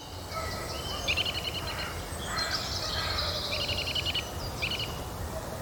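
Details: A Eurasian nuthatch in Hainault Forest woodland, east London, on a fine, chilly mid-April morning, gives trilling calls: three bursts of evenly repeated high notes in a few seconds, over a low rumble and faint other birdsong.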